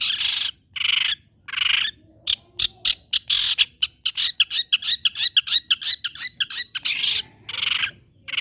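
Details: Long-tailed shrike, used as a lure to provoke other shrikes to keep singing, giving long grating rasps, then a fast rattling run of short harsh notes and further drawn-out scratchy calls.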